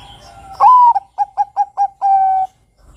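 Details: Zebra dove of the Bangkok type delivers a single song phrase: a strong, slightly rising opening coo, then four brief staccato notes spaced evenly, ending in a drawn-out steady coo. Near silence follows.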